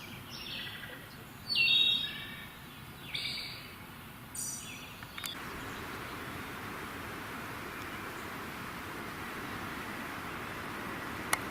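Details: Wood Thrush singing in breeding-season woods in May 2018: a few clear, flute-like high phrases in the first five seconds, with two sounds produced at once by its double voice box, followed by a steady background hiss.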